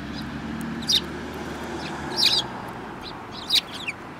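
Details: Sparrows in a group with a yellow-billed bird among them, 24 February 2018: three separate clusters of bright, high chirps about a second apart, over a constant low rumble.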